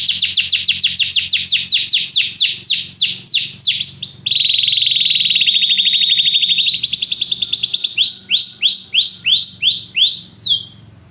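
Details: Canary song, sung strongly: fast runs of repeated high sweeping notes, then a long buzzy rapid trill, switching back to swooping repeated phrases.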